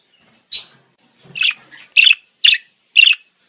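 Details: Budgerigar mating-season sounds, one upward chirp followed by a rough double note and three fast, bright chirps about half a second apart.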